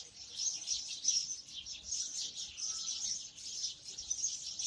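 House sparrows chirp together in a continuous, high, overlapping chatter of quick cheeps, with no pause and only a faint background hum.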